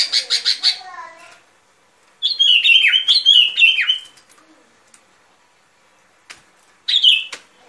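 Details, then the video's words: Sooty-headed bulbul song used to lure birds for trapping: opening with quick repeated chips, then a burst of slurred descending phrases, a long silence, and one last short phrase. "Tiếng Chim Bông Lâu Mồi Chuẩn Mp3 || Âm Thanh Đi Bẫy."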